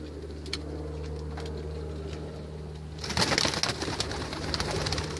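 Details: White racing homing pigeons hum a low, steady cooing drone for about three seconds, then loud scuffling, flapping and scraping sounds take over.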